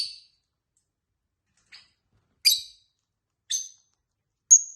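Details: Tame pet lovebird kept indoors with a companion bird, chirping: five short, high, harsh chirps spaced about a second apart, the last a brief thin whistle, with silence between.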